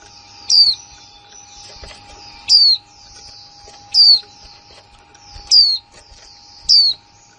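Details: Female white-eye, a newly kept bird, giving plain 'kick' calls: short, thin, high whistled notes that slide downward, repeated about every one and a half seconds over faint continuous high twittering and a steady low hum.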